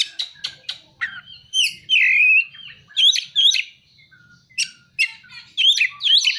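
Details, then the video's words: Oriental magpie-robin singing imitated prinia and sunbird calls: spaced sharp chips, a held buzzy whistle, then bright up-and-down slurred phrases and quick paired notes in an uneven rhythm. "Kacer (materi ciblek dan kolibri)"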